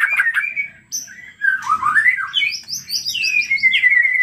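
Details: Lively lure song of a white-rumped shama meant to set other shamas singing: a fast stream of clear whistles and warbled notes, a quick stepped series of high chirps, then a long wavering whistled run; loud and continuous.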